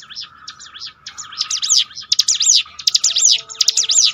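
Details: Indonesian mountain bar-winged prinia in training song: soft high trills build into loud, rapid arched phrases repeated about three times a second, shrill and tinny, with a faint steady low tone in the background.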